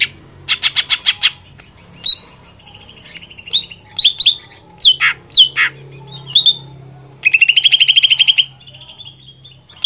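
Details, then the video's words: Greater green leafbird singing to provoke another leafbird into song: fast rattling trill bursts, varied sharp chips and slurred whistles, then a long rapid buzzy trill near the end, all high and loud. "Merangsang Cucak ijo Lain Cepat Emosi"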